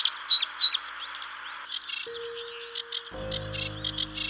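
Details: Sedge warbler singing and showing well on Staines Moor in early spring, along a river edge: quick, scratchy chattering notes in bursts, high-pitched and jumbled, with a steady low hum underneath from about halfway through.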